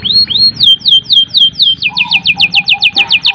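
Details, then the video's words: Canary in long continuous song, used to prompt young or silent birds to sing: rapid descending whistled notes repeated about four per second, shifting to a faster, lower buzzy trill. "suara burung kenari gacor panjang | Pancingan kenari paud dan macet bunyi"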